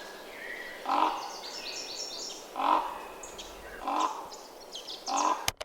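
Northern raven giving four deep, hollow croaking calls about every one and a half seconds, with faint higher bird chatter in the background.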